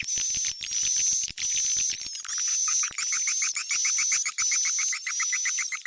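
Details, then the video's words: Edible-nest swiftlet lure call of the 'Sp Tarik Onar' type, played by swiftlet farmers to attract the birds: dense, rapid high chirping twitters with a steady thin whistle-like tone running beneath, in bursts broken by brief gaps. "Suara panggil burung walet"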